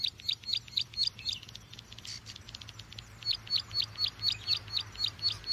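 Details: Bar-winged prinia lure call: high chirps repeated in quick series, broken around the middle by a brief gap and a rougher noisy burst, with a low steady hum underneath.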